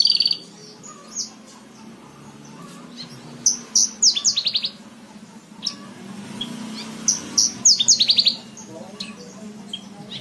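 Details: Horsfield's bush lark song for tutoring cage birds, softer in places: scattered high chirps and two bursts of quick descending trills over a faint low hum.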